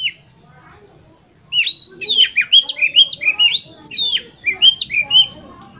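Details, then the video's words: Oriental magpie-robin song to trigger singing in competition birds: after a quiet start, a lively stream of loud whistled notes, each swooping up or down, in quick repeated phrases. "Pancingan Untuk Kacer Lomba Agar Cepat ON Dan Gacor Konslet Di Gantangan"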